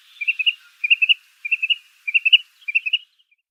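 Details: Tringa glareola, the wood sandpiper: five rapid groups of three or four clear, high whistled notes, each group about half a second apart, steady in pitch and evenly paced.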